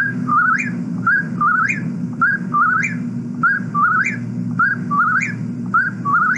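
Eastern Whip-poor-will repeating its rolling three-note whip-poor-will song, a little under one phrase per second, each ending in a sharp rising note, over a low background hum.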